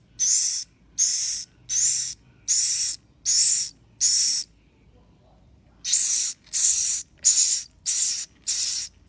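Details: Swiftlet chicks calling: harsh, hissing rasps in bursts of about half a second, repeated roughly every second, with a brief pause midway before the series resumes.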